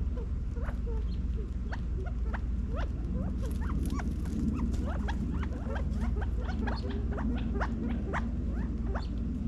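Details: California quail in a back yard in Las Vegas, Nevada, fall 2022, feeding: rapid overlapping chirps and short sweeping notes, busiest in the second half, set against a persistent low rumbling background.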